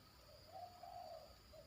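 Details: Young zebra dove in training, kept in a yard, its song said to already include the "batuk" and "poin" parts; one soft, rolling coo phrase lasting about a second over a steady background hum.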